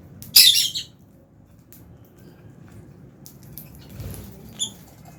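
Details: Fischer's lovebird at meal time in an aviary alongside albino lovebirds. A single loud, rasping high squawk opens the clip, then only faint thin chirps and quiet rustling follow.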